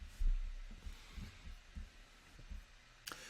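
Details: Low, dull thumps pulse through a quiet room, ending with a sharp click.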